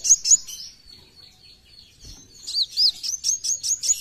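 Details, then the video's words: Brown-throated sunbird song: two sharp high notes lead into a thin sustained whistle. A low thud follows, then a steady series of crisp hooked notes about four per second. "KOWUL GACOR FULL BESETAN"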